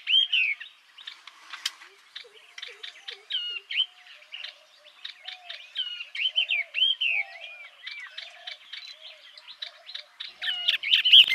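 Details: Extended warbling song of a yellow-eyed babbler, a Vietnamese bird of bamboo thickets and grassy scrub: varied loud slurred whistles mixed with quick chirps and ticks, plus soft low warbles underneath.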